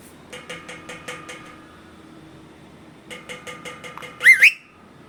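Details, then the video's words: Pet parrot with its owner: soft rapid clicking ticks in two short bursts, followed by a loud double squawk that rises and twists, then silence. "Parrot Makes Sweetest Sound With Its Owner."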